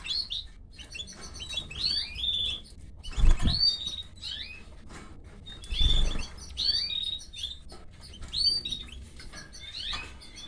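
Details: Canary nestlings begging as the female canary feeds them; clusters of high, squeaky chirps and twitters in bursts every couple of seconds, with brief low thumps and a faint background hum.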